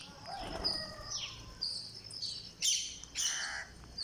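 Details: Begging by a green parakeet at feeding time on day 49: high squeals slide downward in pitch, followed by two louder, harsher squawks near the end.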